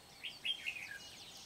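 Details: Red-whiskered bulbul used as a decoy for trapping wild bulbuls at Kim Bôi, Hòa Bình, Vietnam, 8 September 2019; a brief warbled phrase of several quick, slurred notes, with faint high chirps behind.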